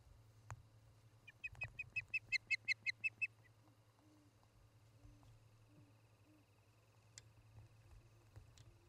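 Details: Ospreys at a nest in Charlo, Montana, on a late-August evening, captured by a nest camera: a short run of about ten thin whistled chirps, quieter and more distant, over a steady low hum with faint tones and knocks.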